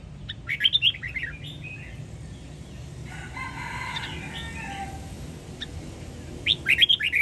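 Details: Red-whiskered bulbul of the Sông Kon line from Quảng Nam, kept caged, singing an "ép giọng" training song for young birds to copy: short bright warbled bursts at the start and end, with a rooster crowing between them.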